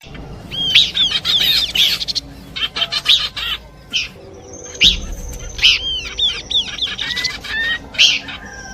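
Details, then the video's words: Horsfield's babbler song in a combination recording used for luring birds: busy bursts of bright, arched chirps and quick downslurred notes, with short pauses between phrases and a faint steady tonal line in the background. "Nyanyian burung pelanduk semak kombinasi cocok buat pikat"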